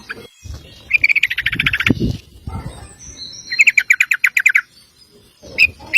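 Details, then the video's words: Sooty-headed bulbul, a male, in long 'ropel' song meant for training other birds: two fast rolls of sharp repeated notes about a second long each, then a few single chips, over faint background rumble. "Trucuk Ropel panjang cocok buat masteran burung anda!"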